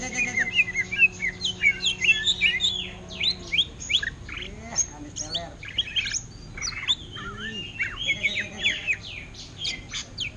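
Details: Greater green leafbird in ngentrok style mimicking the orange-headed thrush, pouring out dense bursts of bright twittering, whistled slurs and clipped chirps over about ten seconds, with a faint low hum beneath.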